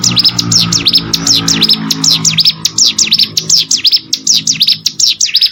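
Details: Plain prinia from rice fields giving a rapid stream of high, V-shaped slurred notes, each swooping down and back up, repeated several times a second; a low humming tone sits underneath early on.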